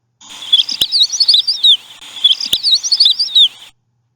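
Painted Bunting giving two bright, high warbled phrases, each about a second and a half, jumbled sweet notes tumbling quickly with a couple of sharp clicks between.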